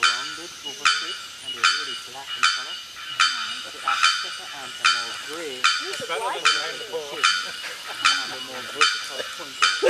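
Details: At the Asa Wright Nature Centre, Trinidad, a bearded bellbird strikes loud, abrupt, bell-like bock notes a little faster than one per second, while human voices chatter continuously beneath.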